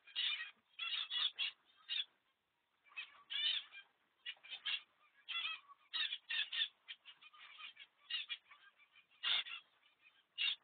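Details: A baby male zebra finch that fell out of his nest box, exploring outside it, gives a rapid run of harsh, nasal, honking calls in quick bursts.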